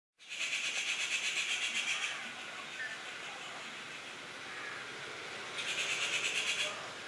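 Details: Treepie in tropical Southeast Asian forest gives two bursts of harsh, grating chatter about four seconds apart, each a rapid rasping rattle lasting one to two seconds, over a steady background hiss. Finding: Treepie.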